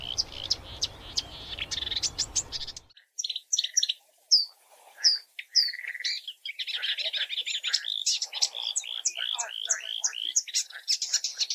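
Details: Varied song from a marsh warbler, known for imitations of other birds: sharp clipped notes and short whistles at first, then a dense, fast chatter of mixed buzzy and whistled phrases.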